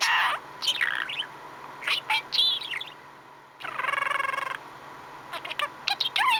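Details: Budgerigar, a male pet bird, happily chattering: mixed warbles and squeaky notes, a long harsh buzzy rasp in the middle, then more quick chirps; faint human voice possibly beneath.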